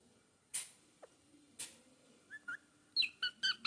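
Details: Baby parrot making a few soft clicks, then a quick run of four or five short, bright, harmonic chirps near the end, packed into under a second. The background is quiet.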